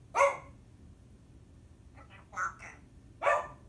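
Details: Timneh African grey parrot talking: three short voice-like bursts, harsh and harmonic, the middle phrase split into quick syllables, separated by quiet pauses in an indoor setting.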